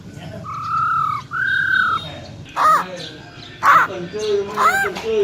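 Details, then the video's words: Wild-voiced female black-throated laughingthrush, used to excite males: two drawn-out level whistles, then harsh, buzzy, rising notes in quick succession over a low background hum. "Tiếng Chim Khướu || Khưới Mái Bạc Má RO RO || Giọng Rừng Hót Chuẩn - Kích Trống Lên Lửa Cực Nhanh"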